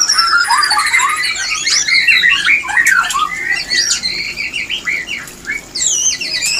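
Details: White-rumped shama mating call for bringing birds into breeding condition: rapid jumbled whistles and scratchy chatter, a long descending whistle at the start, fast varied phrases throughout.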